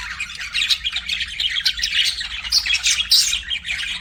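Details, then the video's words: Pet budgerigars produce dense chirping chatter, quick raspy twitters and squeaky notes overlapping continuously, over a soft low background hum. "BUDGIE CHIRPING SOUNDS"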